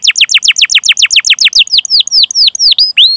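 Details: Long-duration chirping canary song used to coax young, learning or stalled canaries into singing. Quick train of steeply falling chirps about ten per second, easing into slower, higher whistled downslurs with upward-curling ends.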